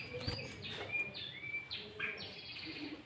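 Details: Sooty-headed bulbul song used as a lure to draw in other bulbuls: clear whistled notes that slide and level off, given in short phrases over faint rural background noise.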